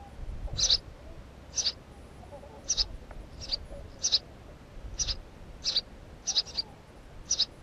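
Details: Series of about ten thin, high chirps from a house sparrow, some in quick pairs, spaced roughly a second apart with faint low background rumble.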